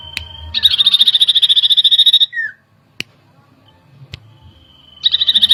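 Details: Common iora lure song meant to provoke agitation: a short whistle, then a fast, even trill of high buzzy notes lasting nearly two seconds and ending in a down-slurred note, sharp clicks in a quiet gap, then the trill returns.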